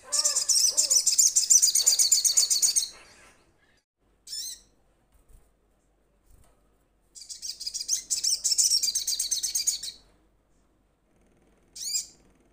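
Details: Crimson sunbird, kept bird starting to sing freely, calling to companions: two long, very high, rapid trills of sharp repeated notes about four per second, each near three seconds, with short separate chips between them in quiet surroundings.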